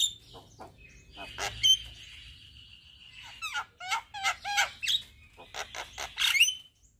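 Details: Javan myna singing hard and nodding its head, with a full set of filler phrases: a long steady whistle with clicks, then quick rattling notes and sharp rising whistles.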